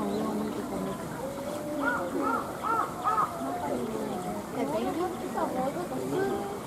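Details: African Penguins at Ueno Zoo, Tokyo, give harsh, nasal, honking notes, with a run of quick rising-falling calls about twice a second standing out over the murmur of a visitor crowd.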